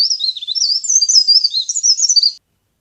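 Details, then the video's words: Trapping-lure recording of a leaf warbler: one unbroken stream of high, rapidly modulated, squeaky twitters lasting over two seconds, then a brief silence. Clean background. "CIKRAK DAUN GACOR | CIKRAK DAUN PIKAT | SUARA PARE PARE GACOR"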